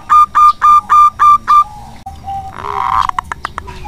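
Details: Local zebra dove kept as a lure singer, giving six evenly spaced, hollow cooing notes before the bird falls silent and brief rustling and clicking noises follow.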